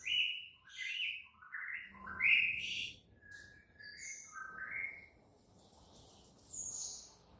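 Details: White-rumped shama morning training song for prompting other shamas to sing, heard as sweet rising and falling whistles and slurred phrases over a soft background hiss.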